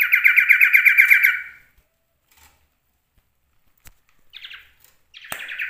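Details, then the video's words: Kept male common iora singing a rich imitative fill-in song: a quick pulsed chattering trill for about a second and a half, a long silence, then brief buzzy notes and a renewed rapid trill. "CIPOH/ SIRTU mewah isian NEMBAK"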